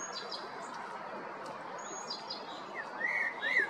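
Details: Male common blackbird, recorded spring 2022 in Zagreb, Croatia, delivering clear mellow whistled notes near the end, two swooping fluted phrases, while thin high chirps of other songbirds sound throughout.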